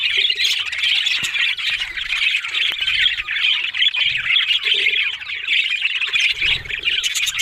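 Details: Several budgerigars, Australian parrots, squawk and warble together in busy overlapping chatter, sharp clicks scattered through, with a soft mid-pitched tone and low thumps appearing now and then.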